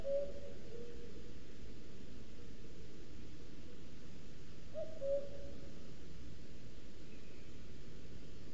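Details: Male common cuckoo singing to claim territory in forest of Sierra de Guadarrama National Park, picked up by a webcam at a booted eagle nest in a Scots pine; one soft two-note falling cu-coo, plus a cut-off call at the start, over steady low rumble.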